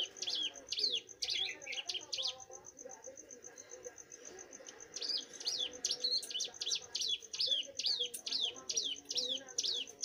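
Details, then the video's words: Young bar-winged prinia singing actively: short runs of sharp, high, downslurred notes, then a lull with only a steady thin high tone, then a longer fast series of the same notes; low background hum. "prenjak gunung muda gacor"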